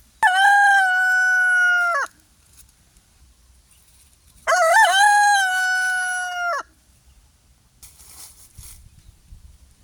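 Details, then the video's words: Free-range pastured rooster on an off-grid homestead crowing: two long, loud, harmonic-rich crows of about two seconds each, the second with a wavering start, separated by a quiet gap, with faint rustling near the end. "rooster chicken crowing sound effect compilation"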